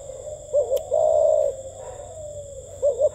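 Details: Spotted dove in the gù tít cooing style, two quick rising notes leading into a long even coo, then a pause before the next double note begins.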